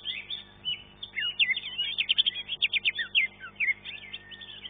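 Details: Green leafbird singing in a bird-singing contest, a third-place winner in its class; a rapid, varied stream of chattering whistles, slurred notes and trills after a quiet first second, dense and continuous, with a faint steady background hum.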